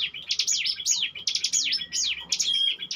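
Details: Bar-winged prinia singing in the ngebren style, kept as a lure bird: rapid buzzy trill bursts, each ending in a sharp descending whistled slur, repeated about once a second, with brief pauses between phrases.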